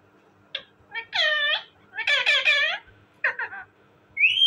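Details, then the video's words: Talking parrot in a cage imitating speech in Urdu or Hindi: harsh, buzzy word-like syllables in uneven bursts, ending with the start of a rising whistle. "my amazing and cute talking parrot,parrot sound"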